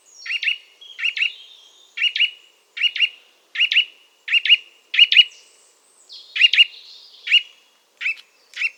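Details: A Eurasian nuthatch repeating abrupt doubled call notes roughly once every second, steady and emphatic, with a few faint thinner notes between them.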